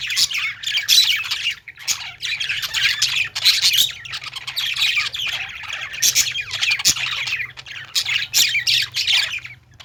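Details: Pet-store budgies chirping and singing, with lovebirds also present: continuous overlapping squawky chatter and bright warbles from many birds, in bursts with short dips between them.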